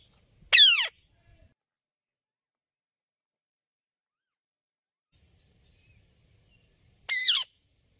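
Two harsh, shrill, downward-sliding screeches from a ringneck parrot, about six and a half seconds apart, with near silence between them.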